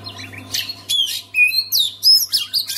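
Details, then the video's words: Oriental magpie-robin song meant to set other magpie-robins singing: a quick series of loud clear whistles, some upslurred, some falling, mixed with scratchy chirps, in short phrases nearly back to back. "SEKALI DENGAR KICAUAN KACER INI PASTI LANGSUNG GACOR"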